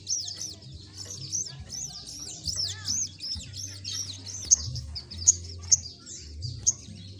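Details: Olive-backed sunbird (sogok ontong) singing in the lively 'gacor ngleper' style: a rapid, high, thin twittering of buzzy rising and falling notes with sharp ticks, over a steady low mechanical hum.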